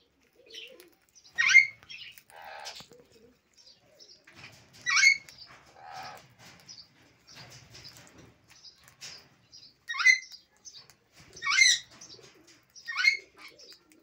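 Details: Sun conures, a breeding pair with three chicks eating sunflower seeds, give loud, harsh, shrill screeches in short bursts every few seconds.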